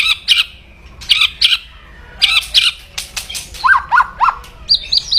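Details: White-rumped shama delivering fierce kretekan crackling to provoke opponents: paired harsh chattering notes repeat several times, followed by a run of three lower descending notes and a final buzzy triplet.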